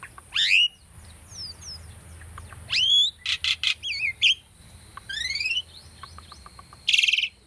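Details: Asian starling, tame and caged, sings for bird training: sweeping whistled slurs, a harsh buzzy burst, a rising series of twitters and soft ticks, over a steady high hiss.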